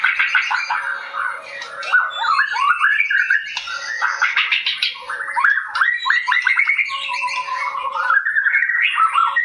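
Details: White-rumped shama, a bird said to dance, singing a continuous, varied stream of quick whistled phrases, rising and falling slurs and rapid trills, with a steady low hum underneath.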